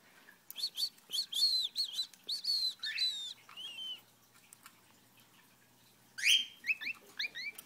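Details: A special-needs pet cockatiel sings its "wiener song," a lively run of clear, warbled whistles in short, varied phrases.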